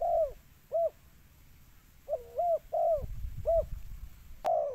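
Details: Spotted dove call meant to lure birds: loud low coos in short and longer notes, some drawn out and falling, with a sharp click near the end.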